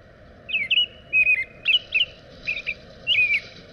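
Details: American robin singing a run of short, clear warbled phrases, each a quick rising and falling carol of two or three notes, spaced by brief pauses, over a steady low background hum.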